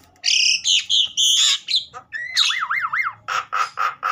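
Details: Javan myna in an agitated, loud singing bout meant to stimulate other mynas: harsh squawky bursts, then a rapidly wavering whistle and a row of short repeated harsh notes.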